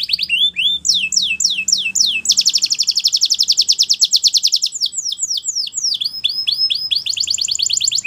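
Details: Belgian canary singing melodiously to train young canaries: looping down-slurred notes, then a long dense rapid trill, followed by more swooping phrases and another quick trill.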